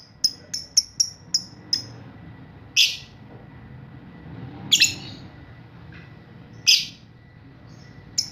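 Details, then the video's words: Lovebird youngster learning to ngekek, a lure sound meant to set other lovebirds calling: a quick series of thin, high chirps, then three louder, harsher squawks a couple of seconds apart over a low background hum. "Pancingan Lovebird Paud Balibu Belajar Ngekek Bikin Semua Burung Lovebird Auto Respon"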